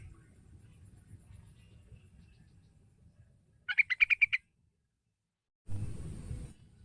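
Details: Short fast series of clear chattering notes from a yellow-vented bulbul, intended to prompt a young bird to sing, set between low rumbling background noise and a closing burst of hiss.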